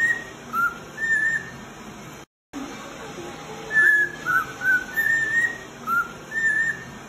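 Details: Male cockatiel whistles a training tune for other cockatiels: clear mid-pitched notes, some steady and some rising, in short groups with a brief silent break between them.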